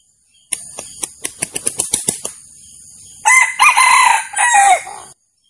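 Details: Male red junglefowl, recorded as an original sound for trapping roosters: a rapid series of sharp clicking clucks, then a loud harsh crowing phrase with wavering, falling notes.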